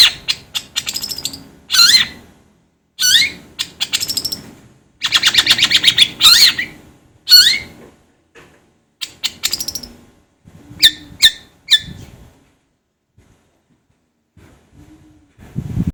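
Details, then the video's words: Long-tailed shrike (cendet, pentet) training song: varied harsh chatters, a long buzzy rattle and swooping squeaks, then sparse sharp single notes and growing quiet toward the end. "suara masteran BURUNG CENDet /pentet agar cepat gacor"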